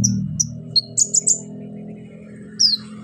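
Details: Actively singing orange-headed thrush, loud 'shooting' song full of mimicked fillers, meant to prompt silent birds to sing: a quick run of high thin whistles and clipped chirps, then a downslurred note, over a constant low hum.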